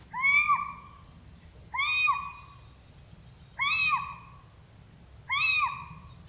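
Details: A Little Owl at night gives four drawn-out, cat-like mewing calls that rise then fall, about every two seconds, over a faint low hum.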